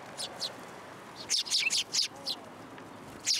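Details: Several sparrows come for food at Tenmangu shrine, 27 December 2022, giving sharp, high chirps in two bursts, a few spaced notes, then a tight cluster of four or five, over low ambient noise.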